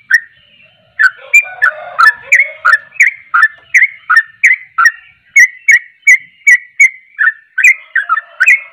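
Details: After a quiet opening second, a sooty-headed bulbul bursts into its rousing song aimed at other bulbuls, a brisk even run of whistled, slurred chirps about three per second, with a soft low murmur early on.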